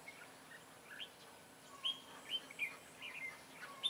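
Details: Red-whiskered bulbul recorded at a trapping session for competition singing in Vietnam, 23 June 2018: scattered clear whistled notes and short rising chirps, irregularly spaced, over steady low background noise.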